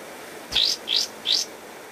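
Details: Three loud, slurred whistles rising in pitch, about one every 0.4 seconds, from a pied triller's master song for training cage birds.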